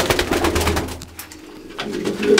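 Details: Fancy pigeons at a pigeon farm in Ranipet give low, throaty rolling coos that rise and fall, amid scattered clicks and rustles from a loft full of birds.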